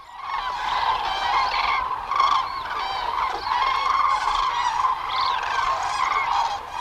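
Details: Hundreds of wintering Common Cranes descend in cold weather to roost at Gallocanta lagoon, wingbeats audible, calling in flight with loud, rolling trumpeted notes that overlap into a constant ringing chorus with no pause.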